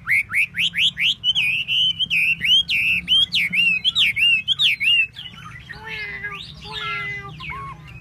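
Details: Chinese hwamei fanning its tail: a steady series of loud up-slurred whistles, about two a second, followed by softer, more varied, twisting phrases.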